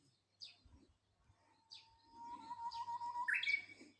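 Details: Japanese bush warbler singing: a long, low, steady whistle that swells gradually and ends in a sharp higher flourish, with faint distant chirps from other birds and a quiet background.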